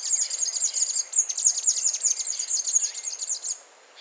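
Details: Scrub tanager singing a fast, unbroken series of high, thin, tinkling chips for about three and a half seconds before stopping abruptly, over a quiet background.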